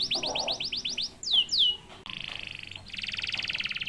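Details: Canary song used to stir other canaries into singing: a quick run of descending whistled notes, two longer swooping notes, then rapid buzzy trills.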